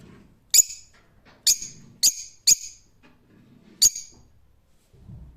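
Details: Rose-ringed parakeet producing five abrupt, high, rasping squawks at irregular intervals, with soft low murmuring noise between them.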